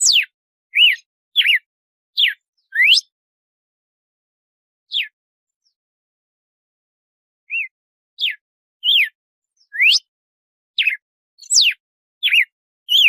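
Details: Red-cowled cardinal singing in the "açoite" style, a paced song: clean, sharply sweeping whistled notes, some falling and some rising, in short spaced series with a pause in the middle and a quiet background.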